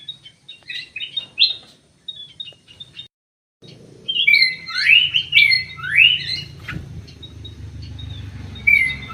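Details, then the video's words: Common green magpie with an anklet in an aviary, giving scattered short chirps, a brief pause, then loud rising whistles and chattering phrases over a low hum. "CUCAK HIJAU PAKAI ANTING"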